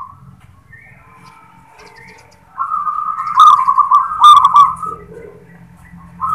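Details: Local zebra dove singing in the "klar ketek kuk" style: after faint, thin background calls, one long, loud, rippling trilled coo with clicky accents runs for about two and a half seconds.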